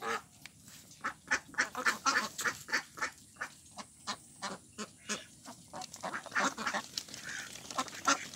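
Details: Pond ducks, Mandarin ducks, mallards and Pekin ducks together, quacking in a steady string of loud single calls about four per second, becoming a denser jumble of overlapping voices near the end.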